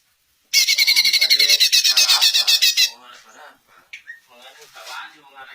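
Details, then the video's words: {'caption': 'Greater green leafbird singing to prompt other leafbirds to reply: a rapid, harsh, rasping burst of repeated notes lasting over two seconds, followed by softer murmuring and faint voices.'} "Cucak Ijo Anda PASTI AKAN NYAUT dengar Suara KICAUAN MERDU TERBAIKNYA INI"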